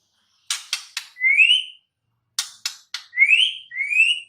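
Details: Wild white-rumped shama singing: three sharp rasping notes, then two or three clear whistled slurs rising in pitch. The phrase comes twice, split by a short pause, with no other sounds.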